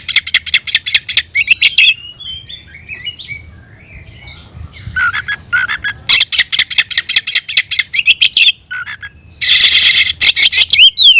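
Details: Fired-up caged oriental magpie-robin calling a rival to fight, tail opened: long series of dry, rapid ticking notes broken by short warbled whistles, ending in a loud rasping burst and a rising whistle.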